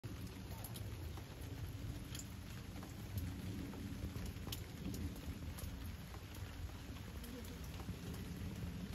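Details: Steady heavy rain with rumbling thunder fills the whole recording, with no animal voice standing out.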